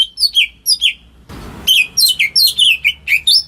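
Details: Greater green leafbird kept at home, sung to coax silent birds: a few swooping whistled notes, a burst of rustling noise, then a fast string of bright descending whistles.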